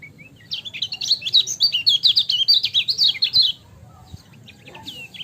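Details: Kecial kuning, the lemon-bellied white-eye, delivering a fast, continuous twittering phrase of high, chattering, swooping notes lasting about three seconds, then a few soft scattered chirps after it.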